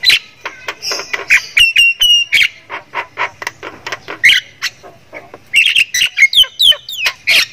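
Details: Thailand-type Javan myna (jalak kebo), a kept bird singing vigorously with rich fill-in phrases: a rapid run of harsh, buzzy chattering notes broken by clear whistled slurs, pausing briefly midway before a second burst of sharp squawks and descending whistles.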